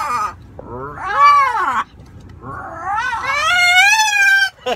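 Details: A macaw having fun in a car gives two drawn-out, wailing calls, each over a second long: the first arches up and falls away, the second climbs and holds loud.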